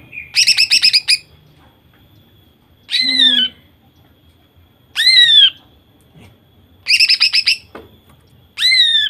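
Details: Female greater green leafbird singing, used to trigger male singing: rapid harsh rattled bursts alternating with loud ringing downslurred whistled squeals, several seconds apart.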